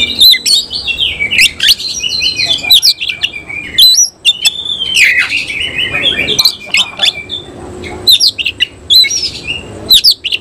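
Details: Displaying oriental magpie-robin (semi-Cililin) singing continuously with tail spread, a dense, varied stream of whistled warbles, buzzy squeaks and sharp high chips, nearly without pause for ten seconds.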